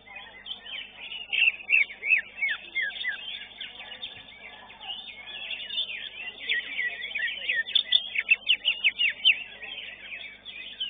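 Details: Greater green leafbird at a songbird singing competition sings a dense, rapid stream of high chirps, sweeps and twitters, nearly three notes a second, with other birds chattering around it.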